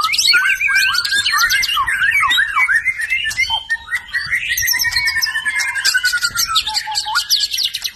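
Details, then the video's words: Varied song of a filial (F) white-rumped shama, made of clear whistles that slide up and down, mixed with sharp high chips and a few long, steady, lower whistled notes. "Murai batu seri F (Fillial)#Tembakan"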